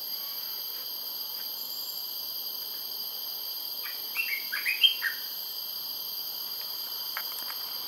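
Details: At Labrador Nature Reserve, Singapore, an Olive-winged bulbul sings one short, bubbly phrase of about six quick rising notes over a steady, high insect drone.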